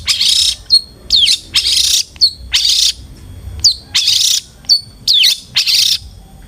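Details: Long-tailed shrike used as a song lure for other shrikes: loud hissing rasps alternating with short sharp whistled downslurs, repeated in an uneven rhythm.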